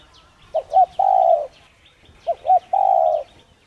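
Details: Spotted dove cooing to encourage another dove to coo: two phrases, each with two short hollow notes and a sustained even coo lasting about half a second, soft high chirps behind.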